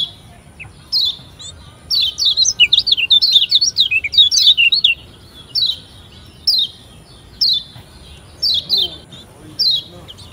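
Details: Lombok white-eye, a song recording meant to prompt birds to sing, gives rapid, high, twittering bursts of thin chirps and short trills, then tapers into spaced single chirps over faint background hiss.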